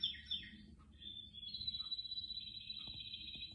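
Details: Among houseplants, a canary utters a few quick chirped notes, then a sustained fast trill holding steady pitch to the end, with faint low room noise.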